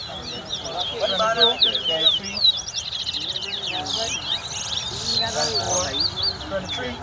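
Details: Singing competition between towa towa at a Guyana bird ground in 2022: high, fast zigzagging twitters and whistles in repeated bursts, with nearby people speaking steadily in the background.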